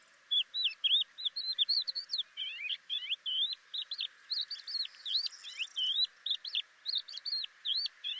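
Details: Crested lark from Córdoba singing a long, rapid run of thin twittering phrases, slurred whistles and buzzy trills, notes packed several per second with brief gaps, high-pitched and clear over a quiet background.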